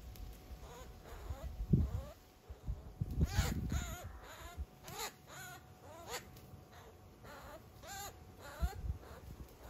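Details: Eurasian magpie in a drawn-out struggle with a Eurasian Sparrowhawk in a backyard; thumping and flapping noises underneath repeated short, bent wailing calls that come every half second or so.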